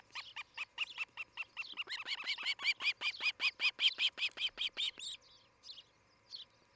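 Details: Nesting osprey at Charlo, Montana, 11 July 2018, morning: a long, accelerating run of whistled chirps that grows louder in the middle and then stops abruptly, leaving a few faint distant calls.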